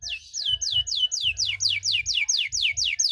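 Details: Canary in long-duration cengkok song to provoke rival canaries, delivering loud, evenly spaced downward-sweeping whistles, about three per second, with a faint low hum underneath.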